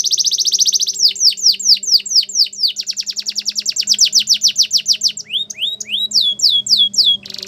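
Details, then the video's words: Canary training song: an opening rattle, then long runs of rapid descending notes about four per second, shifting to rising slurred whistles and a final buzzy burst, with a faint low hum behind. "Canary Singing Training | Belgian Canary Song"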